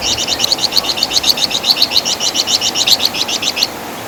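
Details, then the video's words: Wergan Jawa, or flamboyan bird, in a master recording for tutoring songbirds: a single fast run of sharp, high, curling notes, evenly repeated for over three seconds before falling silent. "Masteran Suara Burung Flamboyan | Wergan Jawa"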